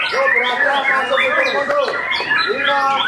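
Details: Post-moult White-rumped shama singing during training: rapid sequence of curved whistled notes and bright chirps, dense and continuous, some phrases rising then dropping.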